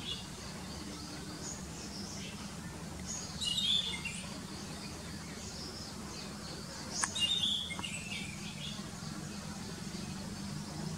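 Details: Orange-headed thrush, a monsoon visitor in dense green forest at Vrundawan, giving two brief, thin, high calls about three seconds apart over a steady low hum of background noise.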